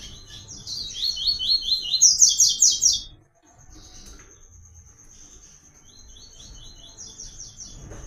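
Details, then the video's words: White-collared seedeater singing the sought-after "Tui Tui" song pattern, used as a teaching reference for song training: bright, rapid high trilled phrases that rise to a loud burst, then a thin steady high tone with softer trills. "PAPA CAPIM CANTANDO MUITO"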